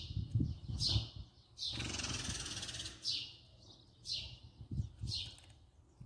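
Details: House sparrow filmed close up, giving short, bright chirps spaced roughly one second apart, with a brief burst of rustling noise between the first calls and a low background rumble throughout.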